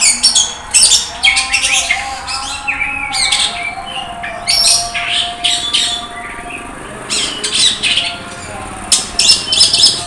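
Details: Oriental magpie-robin (kacer) at an Indonesian songbird competition, the bird said to have won first place; loud bursts of high chirps, squawks and rapid scratchy phrases between short pauses, with a steady low hum and background noise.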